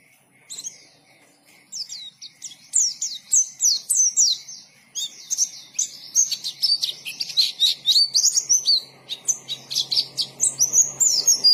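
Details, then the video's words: White-eye singing in the 'ngalas' style. A few scattered high chirps grow into a fast, continuous chatter of sharp notes and slurred whistles. A faint low hum lies underneath. "KICAUAN BURUNG PLECI GACOR NGALAS"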